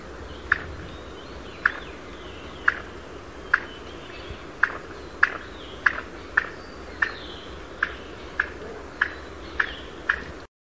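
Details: A Mikado pheasant in courtship gives about fourteen sharp, short clucking clicks, spaced roughly half a second to a second apart, over a soft steady background hiss.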